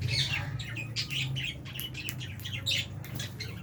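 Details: Albino and Fisher's lovebirds sharing an aviary with budgies at mealtime; busy scratchy chirps and short squawks overlap throughout, over a low background hum.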